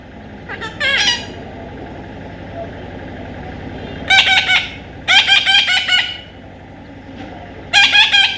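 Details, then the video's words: Young parrot during taming, giving loud grating screeches in short clusters: a brief pair early on, then three rasping bursts in the second half over a steady low hum. "natural funny parrot sound"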